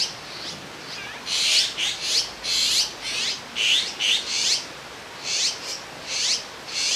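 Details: Fledgling azure-winged magpies sitting together on a branch in Jirisan, Korea, begging as a parent brings food; insistent bursts of loud, grating, hissy calls, many in quick succession, some doubled, with short pauses between.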